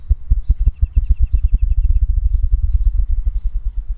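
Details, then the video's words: At Washington's One Square Inch of Silence, a spruce grouse gives a very low, deep run of about a dozen quick pulses fading after two seconds, over human hum from the visitor center, with faint high chips from another bird. "Grouse have a very low, deep call."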